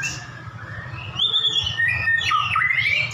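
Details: Prize-winning caged white-rumped shamas brought face to face for a duel; varied whistles and slurred notes rising and dipping, growing louder partway through, over a constant low hum.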